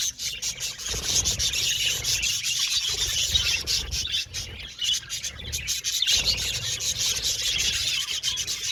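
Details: Many budgerigars in an aviary twitter and warble at once, a thick unbroken high chatter with clicky notes and a low rumbling undertone.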